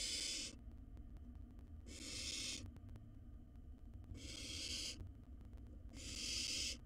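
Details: Nestling barn owl, wild, in a camera-watched nest box while eating a mouse whole: four loud, noisy, wheezing hisses, each under a second, come at uneven intervals of about two seconds over a steady low rumble.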